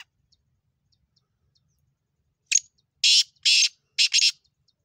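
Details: Black francolin calling: after a brief silence, a short note is followed by four loud, harsh, grating notes in a quick rhythmic phrase, the last two almost joined.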